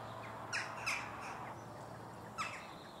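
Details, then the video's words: Western jackdaws in a village, perched high on a church: short, sharp metallic 'chak' calls, two close together then another after a pause of about 1.5 seconds, over a steady low hum. "CHOUCAS des TOURS, cris"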